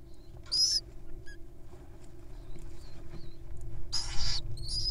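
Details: Wild owls begging during feeding time: a short raspy hiss early on, a longer harsh screeching hiss near the end, and scattered faint twittering of other birds between them.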